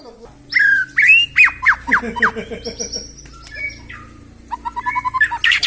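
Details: Varied song from a white-rumped shama freshly moulted out of its spotted juvenile feathers. Rich whistles and steep down-slurred notes come in a fast series, a pause follows, and then a rapid rising trill of short repeated notes.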